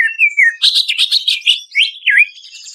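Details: Greater green leafbird song used as a lure to get stressed captive birds singing: a clear level whistle slides down, then a rapid burst of varied chattering notes and two swooping whistles.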